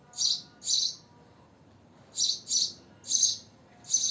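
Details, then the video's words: Sharp, high chirps of a house sparrow (goreya), six short notes in two clusters separated by a pause of more than a second, with faint background hum. "Sparrow / Goreya soothing chirping sound"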